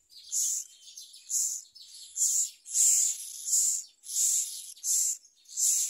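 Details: Young myna taking a large blue caterpillar from a parent's beak, giving rapid, rasping, high-pitched calls, roughly seven loud bursts with softer scratchy notes in between.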